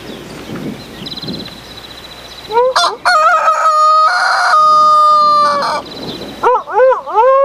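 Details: Rooster at a cafe bar restaurant near Katakolo, Greece, on June 2, 2014, giving a long drawn-out cock-a-doodle-do after background chatter, followed by short wavering clucks. People talk nearby.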